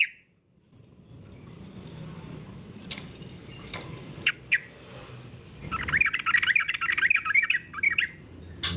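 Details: Lure call of a sooty-headed bulbul meant to provoke replies from other bulbuls: mostly low hum with a few clicks, then near the end a two-second burst of rapid, scratchy chirping.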